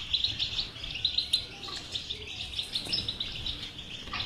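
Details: Batbata-style song of a European goldfinch, intended to stimulate a quiet goldfinch: lively bright twitters and tinkling trills with clicking accents, running without pause in a clean recording.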